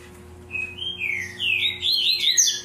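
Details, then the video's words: Caged double-collared seedeater in the tui tui zel zel style delivers a continuous sweeping song of slurred whistles that climb and dip, ending in higher, buzzier twisting notes. "COLEIRA TUI TUI ZEL ZEL"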